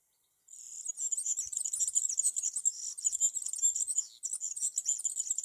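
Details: A European serin sings from a tree in summer: a fast, high, jingling song of buzzy, glassy twitters that runs almost without pause, with one brief break near the end.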